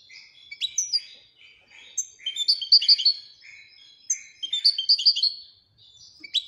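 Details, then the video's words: European goldfinch singing a jumbled twitter of buzzy, nasal notes and bright clipped chirps, swelling into denser bursts every couple of seconds. "Le twitter et chardonneret royalتغريد طائر الحسون الملكي"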